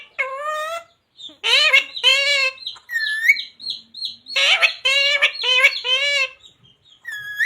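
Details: Pet parrot talking, imitating the words "Radhe Radhe" and "Sita Ram": a series of raspy, speech-like harmonic syllables in short phrases separated by brief pauses, with faint high squeaks in between.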